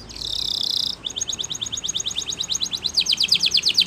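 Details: Canary singing for training: a buzzy sustained roll, then a rapid trill of clipped notes growing louder toward the end, over faint background hiss.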